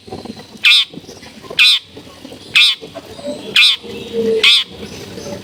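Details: Long-tailed shrike recorded at home among dense housing: a steady series of loud, grating, buzzy squawks roughly once a second, with faint household sounds between them.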